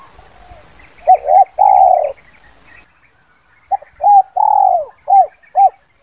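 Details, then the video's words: Clean 'kuk 2' lure call of a spotted dove, meant to attract wild doves to come down: two phrases of short hollow coos and one long, sagging coo, repeated after a gap, with faint high chirping of other birds. "Pancingan Suara Panggil Pikat terkukur KUK 2 Bersih"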